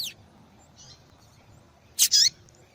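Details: Female yellow-bellied seedeater calling to stimulate a male, used by breeders in female-call tournaments: after a quiet stretch, two short high chirps follow close together, the second a bright downslurred note.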